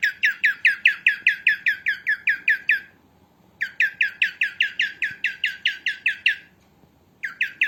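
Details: Female cockatiel sound used in cockatiel training: three bouts of quick, raspy, descending chirps at about five per second, divided by short silences, with a faint thump in between.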